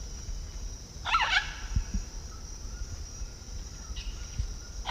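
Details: A blue-and-yellow macaw (Ara ararauna) in Peru gives one loud, harsh, raucous squawk, then a fainter brief call near the end, over a steady high hiss and low rumble.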